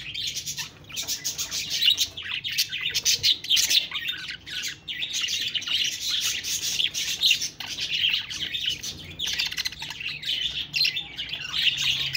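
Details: Budgerigars chirping in a dense, continuous stream of high, buzzy twitters and warbles with quick squeaky notes overlapping throughout, with no gaps between calls.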